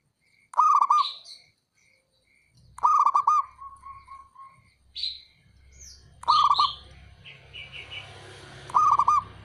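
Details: Local male zebra dove giving its call, meant to make rivals reply: four bursts of quick, rolling low coo notes spaced a few seconds apart, with high chirps between and a low hum underneath.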